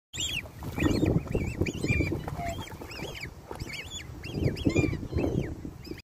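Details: A black swan cygnet in Australia, stuck in a lake and unable to get out, gives rapid, high, arched peeping calls, several each second, over steady low rumbling background noise.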